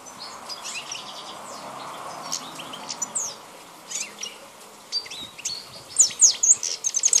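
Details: Balkan-form European goldfinch, wild, 2010: tinkling twittered song swelling toward the end into loud, sharp slurred whistles and quick chirps in a dense jangling run.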